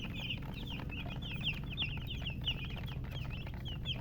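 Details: Chirping baby chicken chicks: dense, rapid high peeps, several chicks overlapping, many notes sliding down, running throughout above a low steady background hum.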